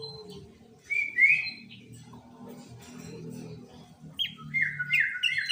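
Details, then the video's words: Sooty-headed bulbul in a loud, clear lure recording for trapping and tutoring, meant to make rival bulbuls sing. A whistled phrase comes early, then a quick burst of bright, falling whistled notes near the end, over low background rumble. "Pancingan Burung Kutilang Gacor Full Tembakan"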